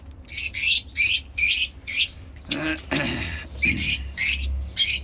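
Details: African lovebirds, kept as pets in various colour mutations, make ngekek chatter: raspy, broadband squawks repeated about every half second, with a brief lower, rougher sound in the middle.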